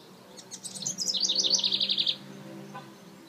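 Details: A male House Wren starting a nest in a nest box on June 15 gives a quick, bubbly burst of high notes tumbling into a rapid, even trill of repeated chips, over a faint low hum.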